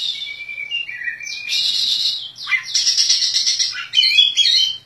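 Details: Oriental magpie-robin, a contest champion kept in a cage, sings clear whistled notes that lead into loud buzzy trills and sharp descending slurs, with a faint low hum underneath.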